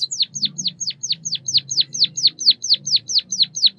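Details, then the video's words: Steady series of about fifteen loud, high chirps, each sweeping sharply downward, repeated roughly every quarter second by a White-headed munia (Bondol kaji). "Suara kicauan burung Pipit emprit Bondol kaji gacor 323 | Bird chirping sounds | white headed munia"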